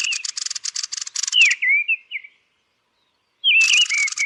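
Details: A Turdus thrush at roost gives a stuttering rattled chatter that runs into sliding whistled notes, falls silent for about a second, then starts chattering again.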